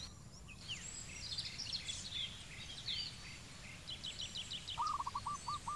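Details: Zebra dove in Cambodia, heard near the end as a run of quick, hooked low coos after several seconds of high chirps, whistles and trills from other birds.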